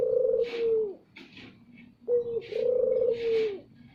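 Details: Loud Barbary dove lure call for drawing in other doves, two phrases each made of a short opening note followed by a drawn-out purring coo that drops at the end; faint chirps from small birds behind.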